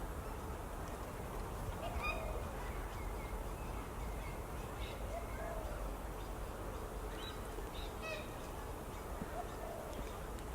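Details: Purple swamphen at Cup & Saucer Creek, Earlwood, Sydney, Australia, May 2019: short, soft, nasal squawks, one every two seconds or so, like hiccups, over a steady low rumble.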